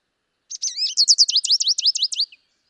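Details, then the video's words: An American goldfinch, Wisconsin, sings a quick, bright run of high twittering notes, about ten sweet slurred phrases in under two seconds, with no other sounds. "American Goldfinch"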